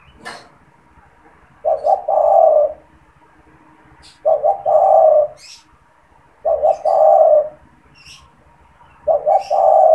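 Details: Caged spotted dove serving as a decoy for wild doves. Four regular phrases of a clipped double hoot and a long, low, vibrating coo come roughly every two and a half seconds, with faint clicks between.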